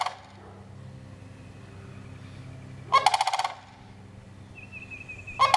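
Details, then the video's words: Sandhill crane calling with rolling, trilled rattles, one clear burst in the middle and another at the end, plus a thin steady whistle heard briefly before the last call. "sandhill crane gawking"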